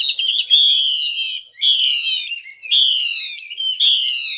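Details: Female Chinese hwamei calling to stir males into singing: loud, high whistled phrases in four bursts about once a second, each a bright descending-then-level note with stacked overtones, clean background.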